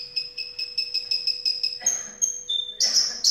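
Javan bush lark song: a fast run of high, sharp chips about five per second, then varied whistles and buzzy high phrases over a steady low hum.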